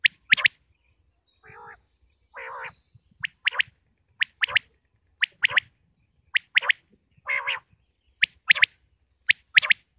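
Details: Common quail from Pakistan giving loud, sharp triple-note calls at intervals, with occasional soft low droning growls between them, over ten seconds of otherwise quiet background.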